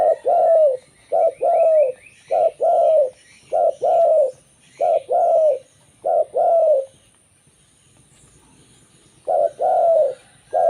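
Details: Local zebra dove whose song draws in other zebra doves: steady pairs of a clipped coo and a long vibrating purr, about one pair a second, a two-second silence, then the pattern starting again.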